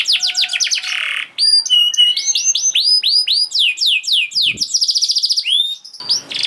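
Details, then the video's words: Energetic canary song used to coax silent canaries into singing: quick descending whistled notes, a short buzzy burst, then many rising slurred whistles repeated several times per second, ending in a fast trill. "Kenari Gacor Speed Rapet Ampuh Buat Kenari Macet Jadi Ikut Gacor Lagi || Voice of Canary"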